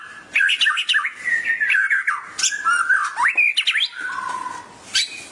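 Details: White-rumped shama singing excitedly in reply to a tutor recording; a varied string of chattering, squeaky and whistled notes with a rising slur near the middle and a lower whistle toward the end.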